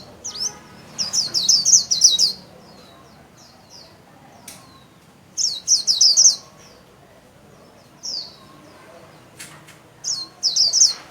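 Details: Captive white-eye in 'líu' song with wings fanned: repeated phrases of fast, high, trilled twittering lasting about a second each, broken by quiet gaps, plus a few single clicks and short isolated chirps.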